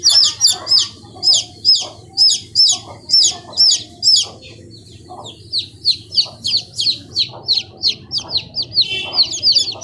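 Chicks give loud, high, downslurred peeps, two or three a second with a brief pause midway, over a faint low hum.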